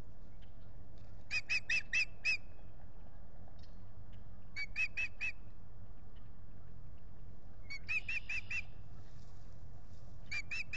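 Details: Osprey pair nesting at Salt Point beside a lake, spring 2021, nest camera, April 19. Separate bursts of four to six high whistled chirps, spaced several seconds apart, over a low background hum.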